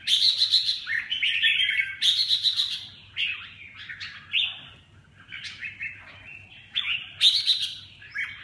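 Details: Red-whiskered bulbul song made of loud, cheerful whistled phrases. Strong bursts repeat about every two seconds, with quieter twittering notes in between.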